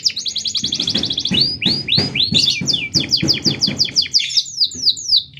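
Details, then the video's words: Long canary song meant to tutor or challenge other canaries: a rapid high trill gives way to a series of loud downslurred whistled notes repeated about twice a second, with a faint hum beneath. "Suara Kenari Gacor panjang Jeda rapat"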